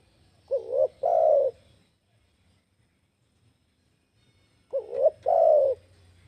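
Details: Spotted dove (tekukur) singing a two-part coo phrase, a brief wavering note followed by a fuller sustained coo, repeated after a pause of about three seconds; quiet low hum underneath.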